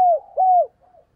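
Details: Two low, drawn-out coos from a decoy spotted dove calling to wild doves, each level and then sliding down at the end, with a faint trailing note.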